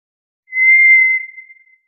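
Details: A lone, eerie monotone whistle from a White's thrush, held evenly for roughly a second before tapering away into silence.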